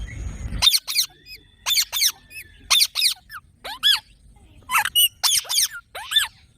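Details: Green parrot giving a series of harsh, rasping screeches in short bursts, each note arching up then down, repeated roughly every half second to second with quiet gaps; a low rumbling noise at the very start.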